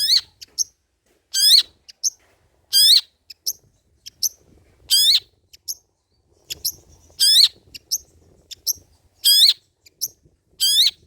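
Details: Long-tailed shrike performing old-style mimicry material, meant to lure and tutor other birds. Loud, harsh, grating bursts are each followed by a thin high note and repeat roughly every one to two seconds in a quiet setting.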